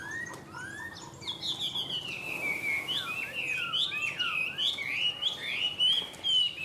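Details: Chinese hwamei, a tame caged pet bird, pours out a loud, rich song of rapid whistled slurs and trills, bright phrases tumbling up and down almost without pause.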